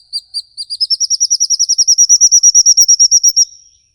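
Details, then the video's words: Bird giving a long 'ngikik' trill, from a mixed songbird lure: a few spaced notes speed up into a fast, even, high trill that climbs gently in pitch and ends abruptly. "burung ngikik panjang"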